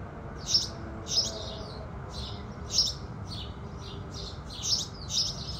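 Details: House sparrows singing as the sun rises in the morning. Six or so sharp, bright chirps sit at uneven gaps, with faint softer chirps between them and a low steady rumble beneath.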